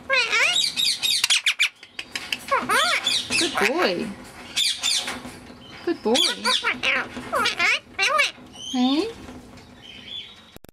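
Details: Grey Indian ringneck parakeet talking in rapid, chattering phrases of squeaky, speech-like syllables with rising and falling pitch, nearly continuous over ten seconds in a small room.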